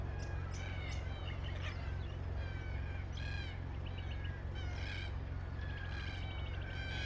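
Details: Red-tailed black cockatoos making repeated rolling, grating calls, some clusters overlapping as several birds call, over a steady deep background rumble.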